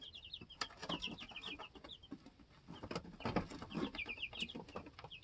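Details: Several two-week-old chicks in a homestead chicken coop, learning to fly and hop, peep in short high bursts, partly buried under frequent loud thumps, scratching and clattering.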